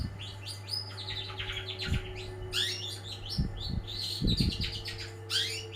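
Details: Long-tailed shrike, a champion singer, pouring out a jumbled, fast medley of squeaky chirps and trills, with occasional low knocks and a steady hum.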